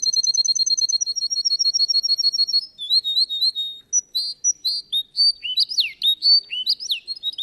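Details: Contest-singing Russian canary: a steady high rolling trill for over two seconds, followed by varied whistled slurs, sharp chips and swooping notes that rise and fall.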